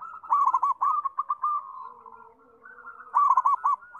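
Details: Zebra dove song: fast clusters of soft, rounded coo notes that blur into a trilling run, then a quieter murmuring pause and another short rapid burst of coos.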